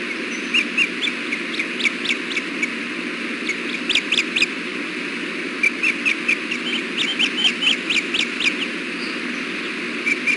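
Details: Ospreys at the Hellgate nest during a 4:00 pm fish delivery on 6.4.16. The male shares bites of fish with the female while eggs lie in the nest, seen by nest camera. Bursts of sharp whistled cheeps repeat in runs over constant low rumble.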